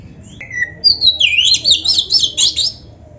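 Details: Oriental magpie-robin singing 'gacor isian' to draw replies from other magpie-robins: a brief level whistle, then a high, tumbling stream of quick twittering, slurred notes lasting about two seconds.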